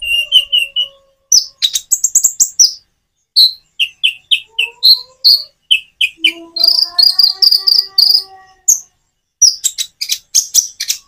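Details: Common iora song with natural pauses, used to prompt hard-to-start birds: varied bright chirps, trills and rapid high twitters in short bursts, with lower drawn-out whistles from other birds mixed in.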